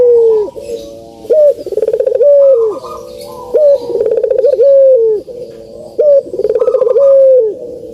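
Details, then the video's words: Barbary dove (burung puter) song used as a lure to prompt lazy doves to call: deep cooing phrases, each a rattling burst then a long falling coo, repeated about every two and a half seconds, with faint higher chirps in the background. "COCOK BUAT PANCINGAN BURUNG PUTER YANG MALAS BUNYI"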